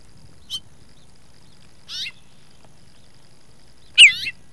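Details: Baltimore oriole in the Nebraska Panhandle on May 11, 2021: three short separate bursts of clear, slurred whistled notes about a second or more apart, the last loudest, over quiet background.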